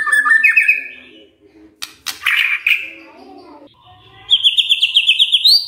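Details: White-rumped shama song used as a lure to prompt other shamas to reply: a wavering whistle, a burst of harsh rasping notes, a pause, then a rapid high rising trill.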